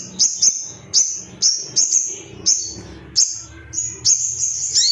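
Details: Ruby-cheeked sunbird male, excited and calling out rivals: sharp, very high chips with upward flicks, given singly or in pairs roughly every half second with short silent gaps.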